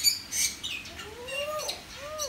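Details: Common hill myna kept in a cage with one perch in a residential area of Sanur, Bali, July 2019: two clear, smooth rising whistles, the first long and falling at its end, the second shorter, after a brief squeak.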